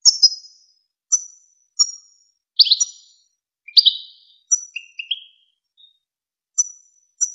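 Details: European goldfinch, from the well-known Wakr Touzgha tutoring recording for young goldfinches and hybrids: separate short, high chirps and sharp downslurred notes, spaced irregularly with silent gaps, no other sounds.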